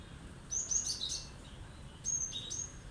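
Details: Bold, sharp song phrases from a Cinereous tit meant to stir up other birds: rapid high chirps tumbling downward, a brief gap, then clipped high notes alternating with slightly lower ones, against light low hum.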